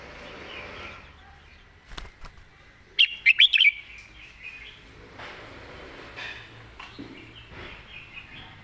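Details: Red-whiskered bulbul delivering its master-song pattern, clearly phrased: one quick burst of four or five bright, chattering whistled notes near the middle, set against a faint hiss and soft, distant chirps.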